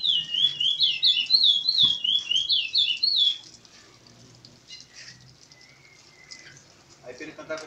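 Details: Curió singing a continuous song at Maiobão, Paço do Lumiar, Maranhão: a loud, fast string of looping whistled notes lasting about three seconds, followed by quieter faint chirps and soft background noise.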